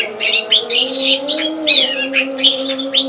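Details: Long-tailed shrike, a kept bird, delivering scratchy chirps and short whistled phrases in an uneven rhythm, over a constant low droning hum.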